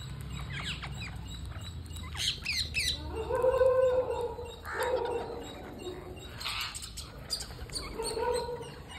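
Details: Parakeet calling while being fed, harsh squawky harmonic calls rising and falling in bursts, loudest in the middle and the last second, with faint higher chirps and a low steady background hum.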